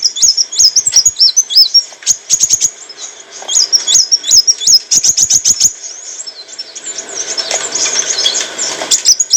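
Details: Olive-backed sunbird song used to train cage birds: high whistled arched notes mixed with clicking ticks in fast bursts, with a hissy rushing noise under the later twittering.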